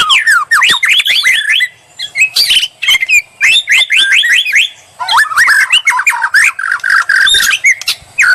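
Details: White-rumped shama song as bait to draw a reply, rapid series of sweeping whistled notes and repeated downslurred phrases in bursts, interrupted by short pauses and sharp chips.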